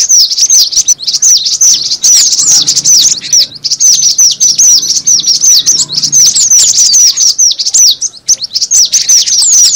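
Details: Cinereous tit calling, used for luring: nearly ten seconds of steady, crowded chatter of high, down-slurred chirps, with faint low fluttering underneath.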